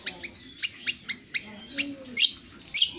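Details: Indonesian honeyeater giving ngriwik kasar, a rough twitter used for training birds: crisp high chips spaced irregularly, ending with two harsher, buzzy, louder notes.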